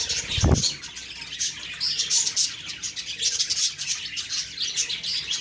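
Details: Morning budgie chatter recorded October 2, 2023, with continuous high, busy twittering and chirps from several birds, opened by a short low thud.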